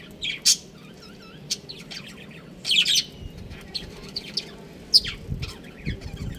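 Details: Pet budgerigar breeding pair chirping at home: quick high twittering notes, some looping warbled phrases and a few sharper squawky bursts spread across the recording, over a low continuous rumble.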